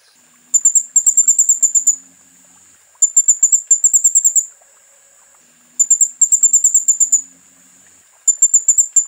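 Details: Van Hasselt's sunbird master song used for training, Temanggung, Central Java: very high, thin, tinkling trills of quick chirps over a faint steady hiss, repeated roughly every two and a half seconds.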